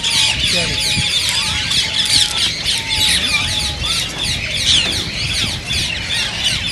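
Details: A crowded chorus of shrill green rose-ringed parakeet calls, offered to stimulate singing and mating, with several faint level whistles running beneath the high chatter.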